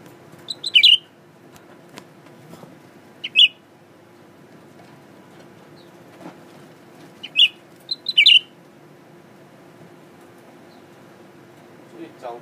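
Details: Caged male Blue-winged Leafbird singing at its mirror image, calm around people: short, high, sharp chirped notes in scattered bursts, a paired burst near the end, long silences between, low steady hum throughout.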